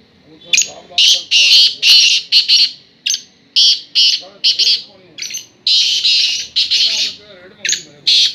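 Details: Black francolin giving a long run of loud, rasping, grating notes in irregular groups, over faint low background sound.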